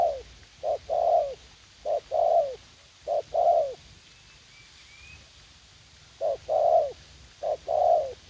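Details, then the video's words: Spotted dove at U Minh, Vietnam: a young decoy bird kept for trapping in a garden, said to be eager to fight. Each two-part coo is a brief note and then a longer downslurred coo, repeated steadily about once a second in bursts. "Gác Cu Gáy / Bổi Tơ Háo Đá"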